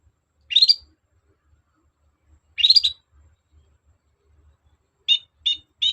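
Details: Long-tailed shrike, used as a lure to provoke other shrikes into replying: two scratchy, rising high bursts about two seconds apart, then three short clipped notes in quick succession near the end.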